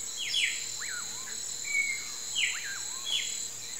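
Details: At sunset, a common pauraque (bacurau) gives two rising-then-falling whistles, each swooping upward before dropping in a wavy slur. Short downward buzzy sweeps from other callers and a constant shrill insect drone fill the background.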